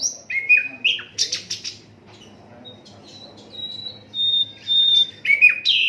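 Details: Asian brown flycatcher song intended as tutor material for cage songbirds, unedited: downward-slurred whistles and harsh bursts, followed by thin steady high tones and a final rising-falling flourish.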